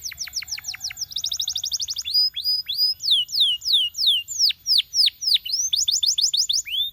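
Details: Canary song for coaching other canaries. Down-slurred chirps lead into a dense rattling trill, then a long series of clear swooping whistles, about three per second, closing in another fast trill.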